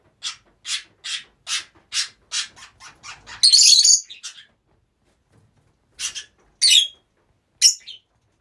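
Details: Group of Rosy-faced lovebirds kept together: a steady series of about ten evenly spaced shrill calls, a burst of harsh screeching, silence, then three scattered sharp squeaks.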